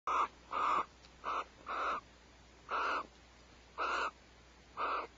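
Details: Barn owls at Starr Ranch share a vole prey meal just before 5 am on 1 January 2012; seven short, harsh, raspy bursts come at uneven intervals over about five seconds against a quiet background.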